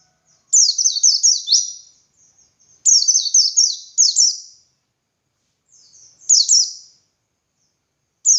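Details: White-eye (dakun) song for training other white-eyes: long runs of rapid, high, downward-slurred chirps repeated every couple of seconds, with a shorter phrase and soft notes toward the end.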